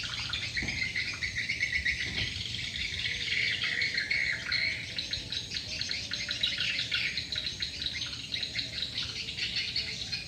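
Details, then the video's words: Many swiftlets still present around a lure call; continuous high, buzzy twittering in dense overlapping bursts, with a couple of sharp clicks and low background hum. "Suara Burung Walet, Download Suara Panggil Walet"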